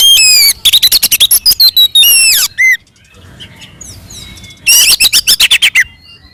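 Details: Oriental magpie-robin singing combative song to provoke rival birds: down-slurred whistles and rapid repeated sharp notes, a quiet middle stretch with faint sounds, then another fast burst of chips.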